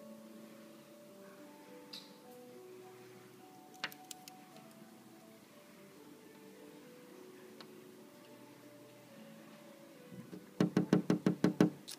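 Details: Soft sustained musical tones play in a small room, followed by a quick burst of sharp tapping clicks near the end, with no clear animal voice.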